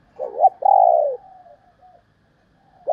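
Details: Female spotted dove giving a clear coo: a short wavering hoot, then a longer smooth note that falls slightly. A faint trailing note follows, and a fresh hoot begins at the end.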